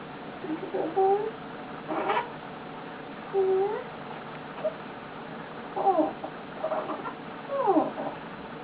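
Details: Male eclectus parrot kept as a pet, lying on its owner and making cute noises: scattered short curved whistles and faint chirps, spaced by quiet gaps, with a soft click or two.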